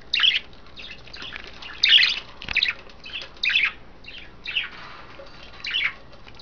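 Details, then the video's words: Caged budgies during a bath, the females rolling in wet vegetables and a water dish: harsh, raspy squawks in separate bursts spaced about a second apart, with softer chatter between them. "crazy budgie bathing"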